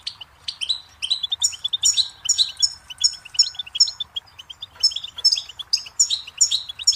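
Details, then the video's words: Nearly unbroken goldfinch song: rapid tinkling twitters, chirps and short buzzy trills run on for the whole stretch, bright and high, with a faint steady tone in the background for a moment. "Birdsong Motivation Let Goldfinches Inspire Your Success"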